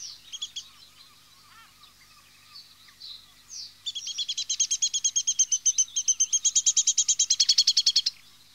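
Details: Common linnet, a species that chatters nonstop within its group, even in flight: high twittering calls, scattered at first, then a fast run of about thirty dry, repeated notes in the last four seconds.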